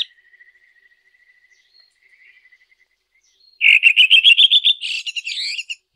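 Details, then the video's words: Red-throated thrush singing in nature. Very faint high ticking opens the recording, then after a long near-silent stretch comes a loud, rapid run of sharp repeated notes that rises gradually and breaks into a brief twittering flourish. "Red Thrush Singing.(Turdus ruficollis)."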